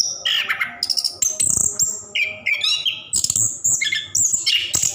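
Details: Orange-headed thrush in a cage singing its long ngerol song for prompting lazy birds to sing; high whistled notes and trills interspersed with scratchy chatter, a faint low thump near the middle.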